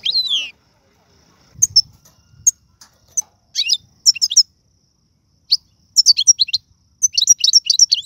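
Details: Algerian European goldfinch song featuring the tiwawati, galoubi, serfati and mandolin styles. A sweeping high note opens, then scattered sharp chips build into quick bright twittering bursts that grow denser toward the end.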